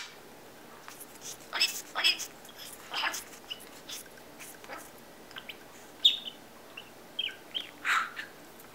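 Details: A pet budgerigar hanging out with its male owner whistles and chatters in quick, scratchy chirps and short whistled notes, some almost speech-like.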